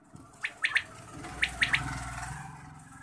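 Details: Quail calling in the morning: a quick three-note burst of sharp whistled notes, given twice about a second apart, over a steady low hum and background noise.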